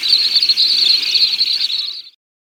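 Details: Brief little stint trill, a shrill, rapid, evenly pitched chatter that fades and stops after two seconds, followed by silence.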